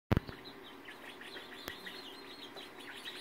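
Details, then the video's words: Polish, Faverolles and Partridge chickens chirping, recorded February 2018; a loud knock opens, then a steady chorus of short high chirps and peeps overlapping throughout, with one sharp click midway. "Polish, Favorelles and Partridges chirping"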